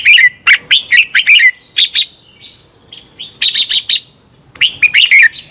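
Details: Red-whiskered bulbul competition song, a double-twist voice played to excite other birds: rapid bright chirps and slurred whistles in bursts, with a higher ringing cluster of notes midway.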